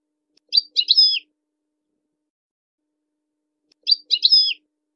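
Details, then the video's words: Two matching short bursts from a European goldfinch, each a quick cluster of high twittering notes ending in a downward slur, separated by about three seconds of silence. "Serenading Goldfinches"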